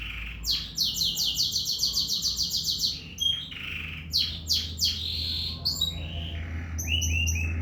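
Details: A canary in full song delivers a long rapid trill of evenly spaced high notes, then varied chirps, slurred whistles and short rising notes, over a faint low hum.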